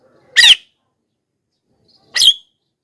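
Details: Javan myna lure calls: two loud, grating squawks roughly 1.8 seconds apart, the second ending in a brief whistled tail.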